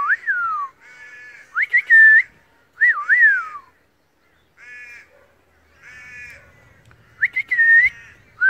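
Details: Wild Australian pied butcherbird singing: rich, fluty whistled phrases that swoop down and up, with steady harmonic notes between them, in bursts separated by short pauses.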